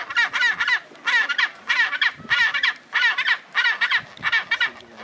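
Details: Chinstrap penguins (Pygoscelis antarcticus) bray like donkeys in a colony at Orne Harbour, Antarctica, January 2023: a harsh throbbing chorus of pulsed phrases repeating roughly every half second, with faint voices in the background.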